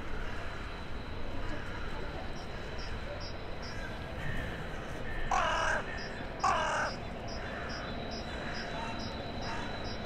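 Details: Town-centre crow on a January 2021 evening, talking to crows arriving for the night, gives two rasping caws close together midway, with regular thin high pips and a low background hum.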